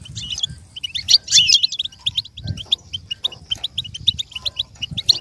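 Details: A goldfinch twitters a song for young birds to imitate. Quick liquid chirps repeat over several seconds around a loud scratchy burst near the start, with a soft low rumble beneath throughout.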